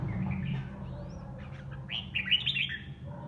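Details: Home-kept red-whiskered bulbul singing competitively to relieve boredom; faint twittering early, then a loud burst of rich, rolling whistled notes, with a low hum beneath.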